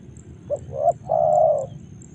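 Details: Single Spotted dove phrase recorded in Karawang: a brief low note, a rising hooted note, then a sustained rich coo lasting about half a second, with a faint low rumble behind.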